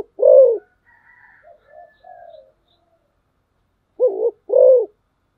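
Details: Decoy spotted dove calling: one long low coo, a pause filled with faint thin chirps, then a paired coo of a short doubled note and a longer arched note.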